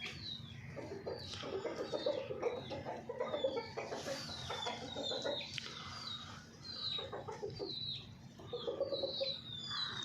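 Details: Golden Misri hen sounds: low murmuring clucks in short runs, with frequent high, falling chick peeps scattered over a constant background hum.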